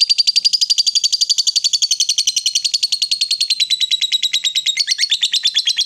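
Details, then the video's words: Female fighter lovebird giving the long ngekek chatter used to provoke rivals. A continuous, rapid, rattling, high chatter of many quick notes runs unbroken for about six seconds, dipping slightly in pitch toward the end. "SUARA LOVEBIRD BETINA FIGHTER, Bikin Lawan Tak bisa Nahan Emosi, Nyaut Bunyi Ngekek Panjang"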